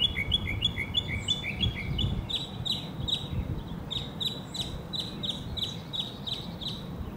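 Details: A Northern Mockingbird sings in Hermann Park, Houston, Texas, USA: quick runs of bright repeated chirps, first a rising series, then a steady string of sharp notes about three per second, over low rumbling background noise.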